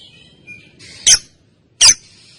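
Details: Female lovebird training sound for other birds: two loud harsh squawks about three-quarters of a second apart, preceded by a soft thin whistle.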